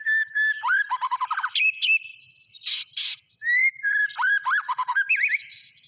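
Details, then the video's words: Rich, varied song of a white-rumped shama: clear rising whistles alternate with rapid rattling trills, a harsh double buzz in the middle and looping whistled phrases, delivered loudly in quick succession. "SUARA BURUNG MURAI BATU GACOR"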